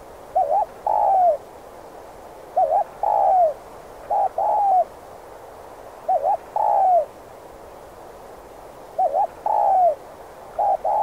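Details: Spotted dove, cu gáy, repeating its 'thúc gù' trap-luring coo five times at roughly two-second intervals; each phrase pairs a brief double-peaked note with a longer arching, falling coo.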